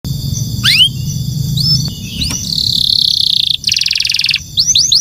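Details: Canary singing: scattered upswept high notes, a long dense buzzy trill, then quick rising chirps over a low background hum.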